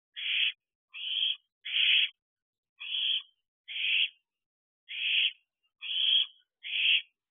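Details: Fledged owlet begging from a roof by its owl box shortly after midnight in early July 2023. There are eight rasping hiss-screeches, some close together and some with longer gaps, and nothing else is heard.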